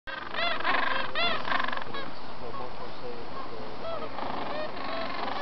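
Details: Gentoo penguins mating in Antarctica on 13 November 2014. Loud, harsh, braying calls with stacked harmonics burst out in quick repeated pulses during the first two seconds. Softer calls follow over steady wind-like rumble.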